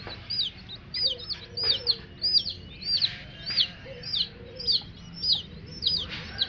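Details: A group of little coloured chicks calling: shrill, falling peeps repeated in quick clusters about twice a second, some notes bending up then down, over faint low murmuring and steady room noise.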